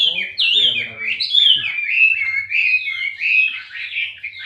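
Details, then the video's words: Male Wambi bird in full song, pouring out rapid whistled slurs and trills in a continuous chain, with a brief human voice at the start. "Burung wamey jantannya suara"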